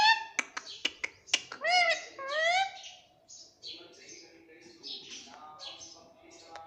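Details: Pet talking parrot indoors in a small room: a burst of sharp clicks, then two rising, harmonic, voice-like calls, followed by softer chattering notes.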